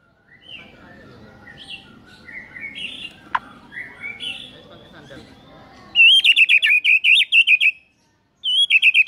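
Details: Morning lure song of a white-rumped shama showing its repertoire. It opens with soft, varied warbling notes, then breaks into a loud, high, rapid trill repeated in two bursts.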